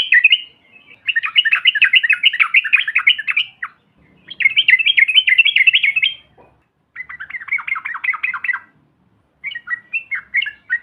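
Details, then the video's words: Rapid bubbly chatter of a yellow-vented bulbul, played to provoke other birds; four dense runs of fast repeated notes with brief gaps, the last run short and broken. "TRUCUKAN BAHAN ATAU Ombyokan, Paut BISU Seketika BUNYI NGAMUK Mendengar SUARA INI"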